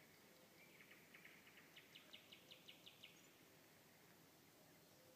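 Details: Nightingale at night delivering a quick series of about a dozen short repeated notes, about three per second, that swell in loudness before stopping, over a faint steady background hiss.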